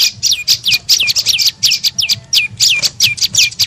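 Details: Olive-backed tailorbird lure call, used to attract birds: rapid high notes, many sweeping sharply downward, in fast clusters with brief gaps.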